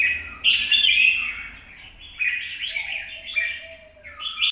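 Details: Red-whiskered bulbul, 26 April 2022, singing bright scratchy warbles in separate bursts, with a faint low whistled tone partway through over a steady low hum in the background.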